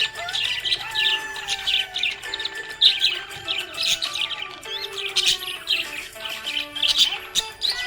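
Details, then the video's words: Happy budgerigar chirping: a steady stream of short, busy warbled chirps and chatter, with music playing underneath. "Happy budgie chirping sound"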